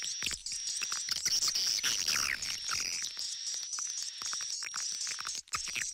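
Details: Indonesian swiftlet-farming lure sound, old-style versus inap akau: busy high chirping and clicking twitters with a few quick downslurred notes, layered over a constant piercing high tone.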